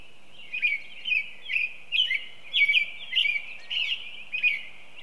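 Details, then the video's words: An American robin at Broadmeadow Brook, a Massachusetts Audubon site, on a Saturday morning sings a steady run of short, rich, whistled "cheer up, cheerio" phrases, about two per second, amid lawnmower and weed-whacker noise. "So there's a robin I can hear right now with its cheer up, cheerio, cheerio."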